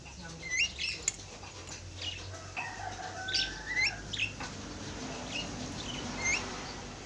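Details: Javan myna pair calling: short upslurred whistled notes repeated at irregular intervals over a steady low hum and background noise.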